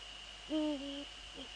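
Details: Night call of a Eurasian eagle-owl, Netherlands, 15 February 2013, 04:40, during a male's visit to a female: one strong half-second note rising into a level tone, then a faint softer echo-like call, over electrical hum.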